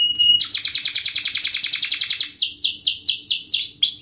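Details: Canary delivering fast, sharp 'speed' song for young birds to learn from: a rapid even trill of about fifteen notes, followed by several loud descending whistled slurs.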